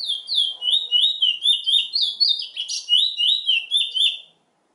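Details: Song of the chestnut-bellied seed finch, called bullfinch in Trinidad: a long, fluent series of sweet whistled notes, mostly downslurred, with a brief scratchy flourish midway, then an abrupt stop.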